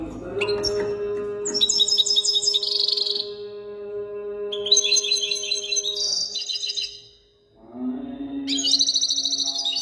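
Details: European goldfinch singing long twittering phrases of jingling, buzzy notes and fast trills, over a steady low humming tone in the background.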